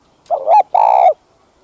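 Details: Single Spotted dove phrase used to stimulate kept males: a rising, warbling lead-in hoot, a short gap, then a sustained, mellow coo that tails off slightly downward.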